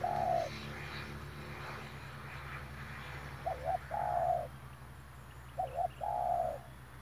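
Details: A spotted dove coos as trappers lure it with a decoy bird, recorded 9 March 2021. Phrases of a quick double note and a longer steady coo repeat about every two seconds over a low hum and faint rustling.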